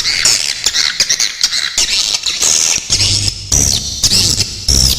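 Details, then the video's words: Swiftlet calls used as a tutor for songbirds, with sharp rapid bursts. Irregular high, buzzy chirps and thin whistled upslurs come in short bursts, along with a low background hum. "suara masteran burung walet super jernih besetan"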